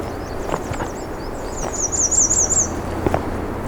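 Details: An American Redstart sings very close on a warm June morning, on a narrow rocky trail with cedars and shrubs heading toward a wetland at the edge of a national park. The song is very high, thin, sibilant notes quickening into a zigzag series, over low rumbling noise.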